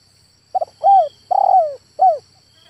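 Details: A single close phrase from a male spotted dove: a short stuttered note, an arched coo, a long descending hoarse note and a final clipped coo, over a faint high insect hum.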